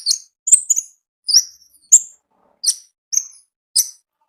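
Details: Konin in the wild giving high, bright chirps, some paired and some single, in an irregular series with short silent gaps.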